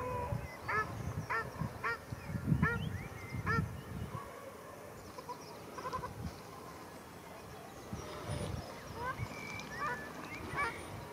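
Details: Fighting ruddy shelducks at Arucas on Gran Canaria, 13 February 2021, give short nasal honks in quick succession during the first few seconds. The calls then grow sparse and faint against low rumbling noise.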